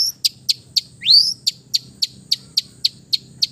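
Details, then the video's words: Long-tailed shrike from East Java in relaxed, imitation-filled song: evenly spaced sharp high ticks nearly four per second, broken once by a loud, sweeping upslurred whistle. "TERAPI CENDET BISU KURANG FIGHTER DENGAN KICAU SANTAI CENDET JATIM GACOR FULL ISIAN"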